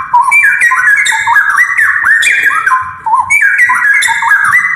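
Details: Straw-headed bulbul (cucak rowo) training song meant for other birds: a loud, dense, continuous run of mellow warbling whistles that repeats a similar phrase after about three seconds.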